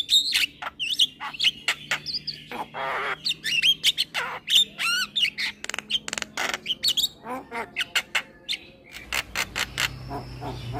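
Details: Caged young male black-winged starling nodding while singing, master track for training cage birds: long energetic stream of harsh squawks, rattling clicks and wavering whistles, with a faint hum in the background.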